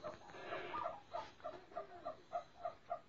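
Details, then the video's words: Captive snowcocks, caught a month and a half earlier and now starting to sing: a faint, evenly spaced run of short mid-pitched notes, about three each second, over some low background noise. "کبک های دری شکار شده یکنیم ماۂ حالا به خاندن اواز امده است"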